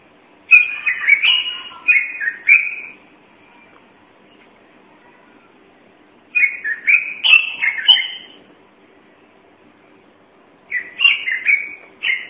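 Thick-knee giving loud, clear whistled notes that rise and fall in quick runs. Three bursts of several notes each come about every five seconds, with quiet between them.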